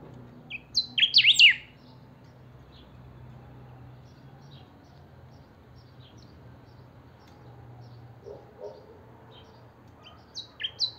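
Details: Saffron finch (Sicalis flaveola), a pet bird in full song: a loud tumbling burst of sharp, high chirps, then scattered faint notes and a final chirpy phrase, over a low steady hum.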